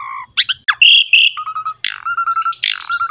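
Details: Asian pied starling in captivity, singing for a training master recording: harsh squawky notes, a loud buzzy whistle, and long level whistles interrupted by scratchy bursts.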